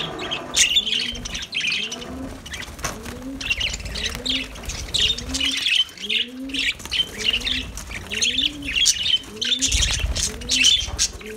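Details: Lovebirds singing in a dense, high chattering chorus of rapid squeaky chirps. Doves coo steadily underneath in low, rising-falling hoots, about one every second.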